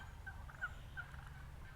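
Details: Wild turkeys, a large flock, on a quiet, rain-dampened golf course in Redding, California, apparently chasing each other, give three short, clipped notes, roughly one every third of a second, over a steady low rumble of wind.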